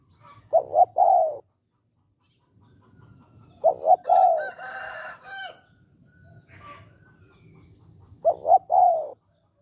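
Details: Spotted dove cooing in the "hạp bổi" voice style to urge males to call quickly: three low phrases of two short notes and a long coo, with a loud rooster crowing between the second and third.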